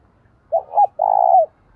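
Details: A single coo phrase from a spotted dove kept as a decoy to incite fighting: paired short hoots leading into a prolonged mellow coo with a falling tail.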